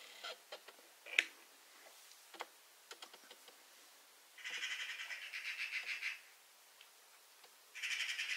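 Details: Eurasian magpie calling in two bursts of grating, mechanical chatter, the first lasting nearly two seconds and the second starting near the end, with scattered clicks and taps between them.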